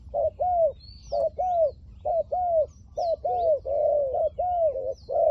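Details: Decoy spotted dove with a liu tan voice, calling to draw in wild doves: steady run of low coos, a brief note then a drawn-out bowed coo, about once a second, with faint small-bird chirps overhead.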